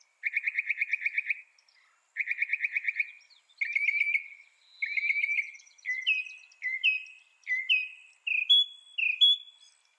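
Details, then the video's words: Northern mockingbird singing: two bursts of rapid, even trills, then a run of repeated downslurred notes, then higher rising notes, each phrase repeated several times before switching. "Northern Mockingbird Bird Sound Bird Song"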